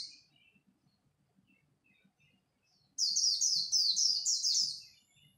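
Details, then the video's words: Japanese white-eye in a dawn contest delivering one khuyên líu phrase, a dense run of very high, fast, downward-sliding notes lasting under two seconds after near silence with soft low ticking. "Khuyên líu đấu lúc bình minh, kích bổi mau nổi!"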